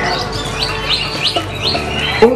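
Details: Oriental magpie-robin (kacer) at a bird singing competition: a run of clear, rising whistled notes repeated about every half second, with crowd murmur and an announcer's voice behind.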